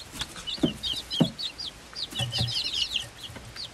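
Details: A group of five-week-old Swedish flower hen chicks plus one silkie chick, hatched 26.02.2022; dense overlapping high cheeps and trills, several at once, with low knocks and rustling from movement.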